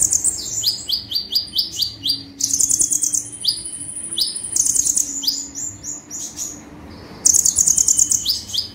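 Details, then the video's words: Olive-backed sunbird (kolibri ninja) singing actively in the rapid-fire 'tembakan' style, used as a master recording for training birds: very high rising sweeps in quick runs alternating with dense buzzy trill bursts, repeated across nine seconds with no other clear sounds. "KONIN GACOR FULL TEMBAKAN"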